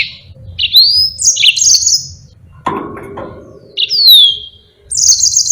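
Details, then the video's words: Yellow-fronted canary in active rolling song used to tutor other birds: clear rising whistles followed by high trilled notes, interrupted once by a short dull knock, then the whistled phrase returns. "Burung Mozambique GACOR NGEROL PANJANG sangat Jitu buat masteran"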